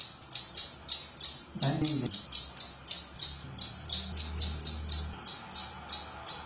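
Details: A female hill prinia, used as a lure call, gives a long, brisk series of high, sharp chirps, about three a second, with a brief low thump partway through.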